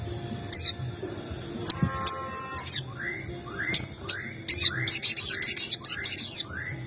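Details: Sogon lure sounds for triggering other birds to call: sharp high clicks, then a rapid series of short rising whistled notes, about three per second, overlaid with dense buzzy high chatter.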